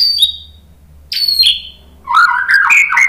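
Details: White-rumped shama responding to a lure recording: two high, thin descending whistles separated by quiet, followed by a quick, rich warbled phrase of rolling notes.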